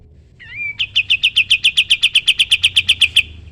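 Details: Sooty-headed bulbul singing in a training recording for other songbirds: a short wavering whistle, then a rapid, regular volley of about twenty loud, clipped high notes.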